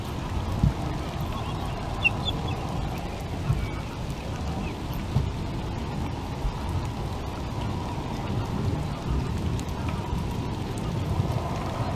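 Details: Steady hiss and low rumble like rain and wind on a nest camera, with a few sharp knocks, and no clear animal call.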